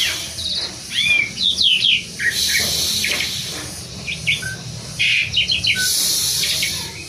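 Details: Asian pied starling from Indonesia singing loud looping whistles and rising-falling slurs mixed with harsh hissing bursts, quieter chirps toward the end over a steady low background hum.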